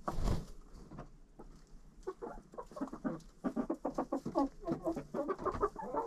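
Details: Chickens hanging out inside a coop, captured by a GoPro set in their midst, giving steady runs of soft low clucks and chattering notes, several birds overlapping, with thumps and rustling of movement in the straw.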